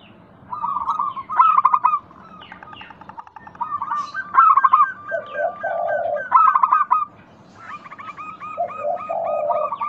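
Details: Lure recording of local zebra doves to spur others into song: stuttering runs of quick coo notes alternate with low, soft purring notes, the phrase repeating several times. Other birds give short falling chirps.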